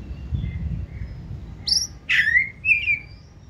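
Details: Captive white-rumped shama from the 2024 season in 'forest voice' song: a short sequence of a sharp high note, a loud descending slurred whistle and a brief warbled ending over faint low rumble.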